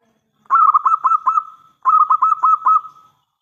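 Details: Local Zebra Dove, an actively singing bird with a big voice, used as a lure to make other doves answer; two trilled cooing phrases of rapid stuttered notes, each ending in a drawn-out even tone, in a quiet setting.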